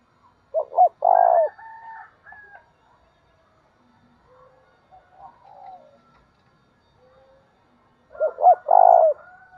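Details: Spotted dove calling as a lure to stir up another dove. A phrase of short coos ends in a long, loud coo. Soft, faint coos and murmurs follow. The full loud phrase returns near the end.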